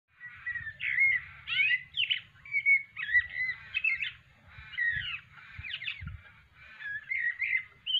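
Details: Blackbird practising its song on an afternoon in Australia, with crows said to be calling in the background. Varied warbling phrases of fluty whistles and quick slurred notes, steady for several seconds over a low rumbling noise.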